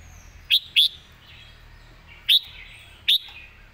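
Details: Red-whiskered bulbul in the rapid 'pak wai' song style, giving four short, bright, clipped whistled notes, two close together and then two spaced apart, against quiet low background hum.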